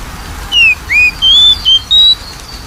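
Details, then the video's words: Oriental magpie-robin whistles meant to coax a bird that seldom sings: a phrase of five pure notes, opening with a downslurred whistle, then an upslur and three sustained, slightly higher tones, crisp against low background noise. "PANCINGAN KACER MALES BUNYI"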